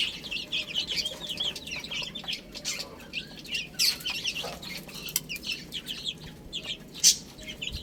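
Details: A flock of baby hens eating spinach peeps softly and continuously in thin, high, short notes, broken by occasional sharp taps and one loud click near the end.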